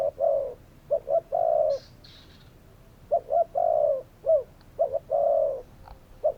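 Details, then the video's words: Spotted dove giving repeated cooing phrases, short hollow notes leading into long swelling coos, roughly every two seconds; a faint high chirping sound in the background early on. "Spotted doves calling!"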